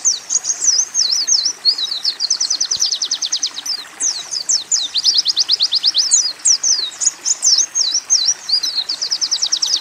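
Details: Oriental white-eye training song with mixed-in canary and sunbird phrases: continuous high, rapid chatter of sweeping downslurred notes alternating with fast, even trills, very dense and unbroken.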